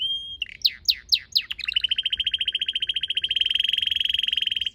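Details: Red canary in a home garden with purple azaleas, late March, singing: a few loud sweeping down-slurred notes, then a long fast buzzy trill of evenly repeated pulses.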